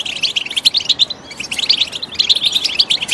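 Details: Goldfinch song used as stimulation for training; quick jumbled twitters and bright chirps run together in an unbroken high-pitched chatter.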